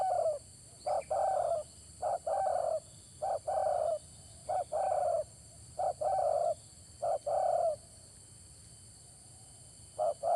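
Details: Spotted dove (tekukur) call used for bird luring: soft, low, hollow coos in short clustered phrases of two or three notes, repeated several times over ten seconds, with a faint steady electronic whine and low hum behind.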